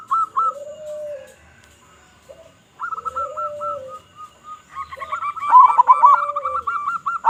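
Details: Local Indonesian zebra dove in full song with a big voice, sung to lure other zebra doves: rolling cooed phrases, with a lower, longer drawn coo overlapping the higher bubbling notes, suggesting two singers.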